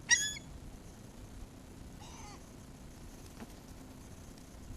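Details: Gulls being fed: one sharp, loud, high squeal at the start, then a softer wavering mewing call about two seconds later, over quiet background hiss.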